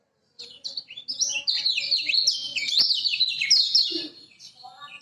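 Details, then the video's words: Lemon-bellied white-eye of Lombok singing a master song meant to lure quiet birds: a lively, high rambling warble of rapid chirps and slurs lasting about four seconds, fading into softer notes. "Masteran Kecial Kuning Lombok!!! Buat Pancingan Kecial Macet"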